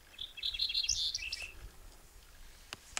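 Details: Cinereous bunting on Lesvos in May 2012 sings a brief, high phrase of quick, clear notes that jumble and rise over about a second, followed by a couple of sharp clicks.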